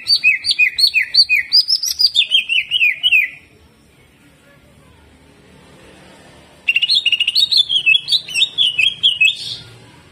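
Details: Greater green leafbird in hyper jamtrok song with rough shot phrases: rapid chains of sharp, warbled notes dropping in pitch, broken by a silent gap before another long rippling burst.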